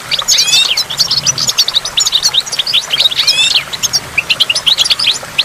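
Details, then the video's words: Clear goldfinch song near a waterfall, bright twittering phrases with rising buzzy sweeps and sharp high chirps, pausing briefly between bursts, water murmuring behind. "in the waterfall stimulates goldfinch and water drops"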